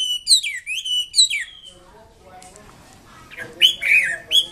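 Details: Chinese Hwamei song: two bright, falling whistled phrases, a quiet murmuring gap, then more loud slurred whistles returning at the end.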